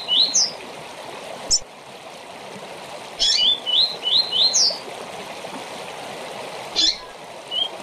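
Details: Rusty-collared seedeater delivering a short tournament-training song, with a burst of rapid rising whistles between several sharp high notes, set against constant running-water hiss.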